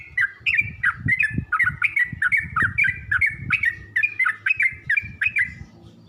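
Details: Yellow-vented bulbul heard in a training recording for birds learning to sing. A quick series of bubbly, clipped chirps repeats throughout, fading near the end, over low thuds and rumbling background noise.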